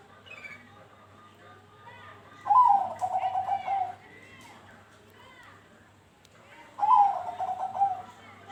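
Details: Bangkok zebra dove giving two bubbling, rapidly pulsed coo phrases roughly four seconds apart; used as a lure so other doves join in singing. Faint chirps from other birds in the background.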